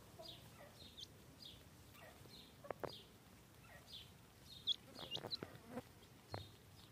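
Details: Grey francolin chicks feeding: short, thin, high chirps, slightly downslurred, repeated about every half second to second, with a few scattered sharp clicks and taps over a quiet hiss.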